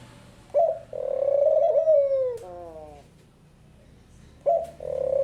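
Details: Song of a Picazuro pigeon: a brief hooted note, a drawn-out low coo easing downward, and a fading quavering tail. The phrase starts again at the end, in near silence.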